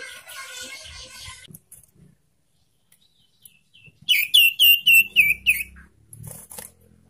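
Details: Young sirtu, played to coax silent caged birds into singing: after a quiet pause comes a rapid series of about eight clear, sharply falling chirps, evenly spaced, then a few softer notes and faint room noise.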